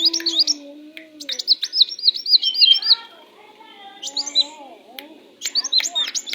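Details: Tame sunbird singing vigorously: bursts of rapid, high, thin twittering trills of repeated sharp chirps, broken by short pauses, over softer, lower whistled gliding notes in the background.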